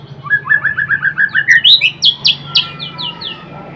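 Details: White-rumped shama (murai batu) in full song: a rapid run of repeated rising chirps climbing steadily in pitch, then sharp downward-sweeping notes fading away, over a low steady hum.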